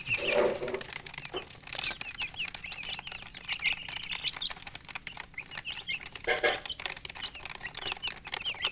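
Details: Chicks cheeping in quick, high, repeated notes, a busy chorus of many birds, broken twice by louder, rougher bursts of noise.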